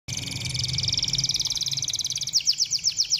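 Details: Canary song played to stimulate other canaries to sing: a fast, dense high trill of buzzy repeated notes, then slower, louder, separate downslurred chirps near the end.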